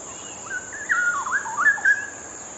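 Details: Straw-headed bulbul in full voice, pouring out a loud liquid warble of gliding whistled notes and brief rippling trills that rise and dip, with an even electronic hiss in the background.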